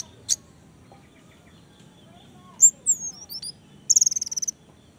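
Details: Orange-headed thrush, caged, played to prompt a silent bird to sing: sparse high thin whistled notes and slurred squeaks, ending in a fast buzzy trill of about ten notes, over faint low background hum.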